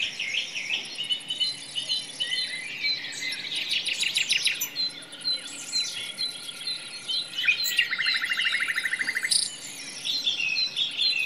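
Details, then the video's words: Nightingale song in a forest, a rich run of rapid repeated notes, sharp high whistles and a dry, even trill near the end, with background chirps and a faint insect drone. "The sound of a nightingale in the forest"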